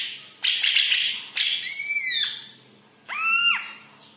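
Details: Yellow-headed green leafbird song: a harsh rasping burst, then clear, rich downslurred whistled notes with ringing overtones, separated by short pauses.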